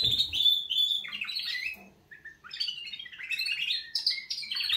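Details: Lively canary wake-up song: loud, dense high warbling and rapid trills, a brief dip in the middle, then more fast rolling phrases.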